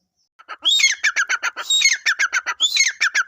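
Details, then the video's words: Partridge calling: a fast series of harsh, clipped notes, each bout opened by a higher rising squeal, repeated in three bursts over a few seconds with no other sounds. "teetar voice | teetar ki awaz | teetar sound | dakniteetar ke awaz | teetar boli"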